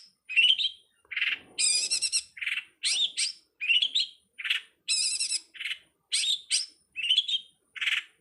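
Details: Long-tailed shrike (cowet, codet, pentet) 2022 master recording for songbird training: a repeating sequence of upslurred whistles, low buzzy notes and fast high chatters, cycling roughly every two seconds.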